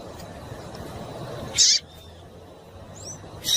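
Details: Female double-collared seedeater calling to stir males to sing: two brief, loud, high-pitched chips about two seconds apart, with a faint thin whistle and a soft rising squeak between them over low hiss.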